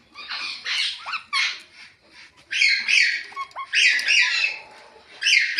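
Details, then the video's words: Ringneck parrot chirping with rapid, shrill, scratchy squawks, several close bursts in under six seconds with brief dips in between. "Ringneck Talking Parrot Natural Chirping Sounds"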